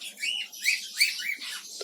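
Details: Budgerigars chattering in a busy village budgie colony during hot weather, with chicks hatching: rapid, scratchy warbles and short rising chirps, several overlapping through two seconds of steady high-pitched twittering.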